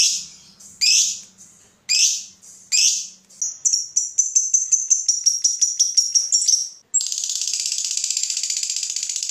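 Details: Lovebird gives harsh rising screeches, a run of sharp ticking notes, then a fast dense chattering ngekek trill, the style used to set other lovebirds singing.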